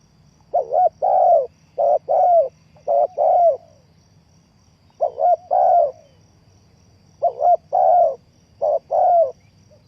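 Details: Spotted dove used as a trapping lure, giving low hooting coo phrases. Each phrase is a short broken coo followed by a longer rolling coo, in three groups with pauses of about two seconds.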